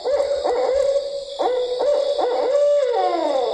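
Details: Barred Owl giving its distinctive rhythmic 'who cooks for you, who cooks for you all' hoots, each note rising then dropping, ending on a long drawn-out descending 'all' with a slight hiss behind.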